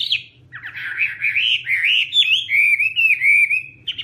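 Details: Chinese hwamei delivering a flowing, legato run of rich whistles that wave up and down without pause, bright and loud throughout, with a soft steady hum in the background.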